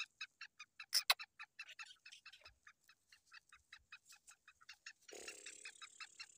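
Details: Black francolin roaming free, giving a rapid series of short, sharp, rhythmic notes, with two louder strokes early on and a hiss of noise toward the end.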